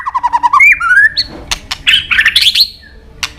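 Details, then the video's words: White-rumped shama singing hard with isian phrases: rapid warbled notes, a rising slurred whistle, harsh clicks, and a scratchy jumbled phrase. "Murai batu gacor isian super lengkap"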